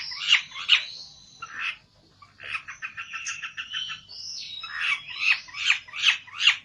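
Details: Olive-backed tailorbird, agitated while seeking a rival: sharp high chirps, a rapid buzzy trill of short repeated notes, then strong calls given about every half second.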